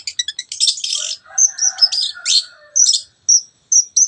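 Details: Lively 'teot teot' song of a long-tailed shrike, played as a lure to excite birds into singing: quick clipped notes, then harsh chatter, then sharp, separate whistled notes with pauses, over faint lower twittering.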